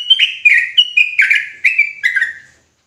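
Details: Sooty-headed bulbul in an agitated ropelan phrase: about six paired chirps, each a clear higher note dropping into a buzzier lower one, repeated quickly over roughly two and a half seconds.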